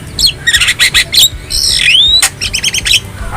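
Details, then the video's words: Wild Javan myna, a master recording to coax caged birds into song: scratchy chatter, a long rising whistle and a burst of rapid repeated notes. "Masteran Burung Jalak Kebo Jabo Jalbo Asli Alam Liar"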